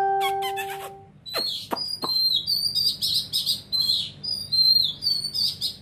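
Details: Varied high whistles and slurred notes of an oriental magpie-robin's song, following an opening tonal beep and a few sharp clicks, with low hum underneath.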